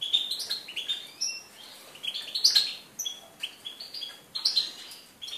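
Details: European goldfinch on 4 February 2018 singing lively, high tinkling phrases of chirps, short trills and thin whistles, delivered in rapid bursts with brief gaps.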